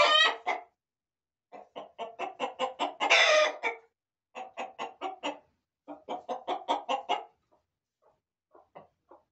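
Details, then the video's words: Chickens in a farm corral give bursts of rapid clucks in short runs separated by pauses, one louder raspy squawk near the middle, trailing off into sparse soft clucks. "Gallos y Gallinas"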